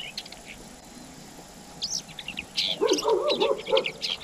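Asian koel: a run of short, high chirps quickening into rapid squeaky notes with harsher lower tones, about four per second, over a faint steady background hiss.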